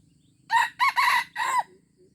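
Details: Junglefowl crowing in Aceh, recorded 25 April 2020: one short crow of four harsh, broken syllables, the last drawn out and falling away, over a faint low hum.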